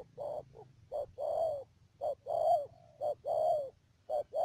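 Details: Decoy spotted dove in a trapping setup at Mương Điều, Đầm Dơi, Cà Mau province, Vietnam, recorded 12 March 2019. Soft, low coos come in short-then-long pairs about once a second. A faint electrical hum runs behind them.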